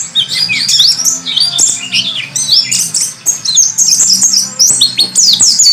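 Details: High, busy warbling white-eye song meant as a tutor recording for training birds: rapid chattering and squeaky twittered notes in tight clusters, continuing with brief pauses throughout.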